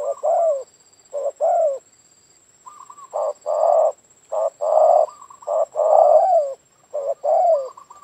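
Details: Spotted dove (tekukur) used as a lure for doves, giving repeated low, throaty coo phrases, short notes followed by a longer falling coo, with brief pauses between phrases.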